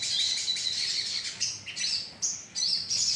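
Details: Colony of sogon birds used as a lure recording: dense, high, thin chirps layered continuously, with short rising whistled notes breaking through near the end.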